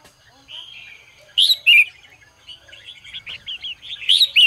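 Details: Red-whiskered bulbul morning song for training competition singing: a soft whistled note, then two loud, bright warbled phrases, followed by a rapid series of quick chirps and a final loud phrase.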